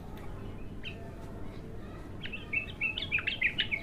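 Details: An untrained bulbul in its first singing session: near silence, then a quick burst of bright, bubbly warbled notes that grows louder toward the end.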